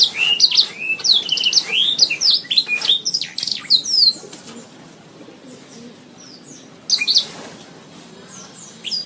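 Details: Canary song on a master recording for training songbirds: four seconds of lively warbling and trills, then quieter scattered chirps with a faint rustle and a final short burst.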